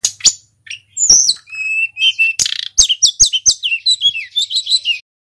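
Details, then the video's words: Local Tledekan gunung (hill blue flycatcher) singing a full, rolling song used to provoke other birds to sing. High whistled and chattering notes slide up and down in quick, varied phrases, opening with sharp clicks, then a fast run of bright repeated notes. "SUARA TLEDEKAN GUNUNG FULL GACOR"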